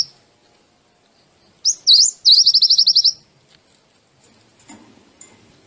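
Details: A single white-eye phrase from a masteran for training birds: a couple of sharp high notes followed by a quick, even trill of about ten pulses, then near silence with faint soft sounds.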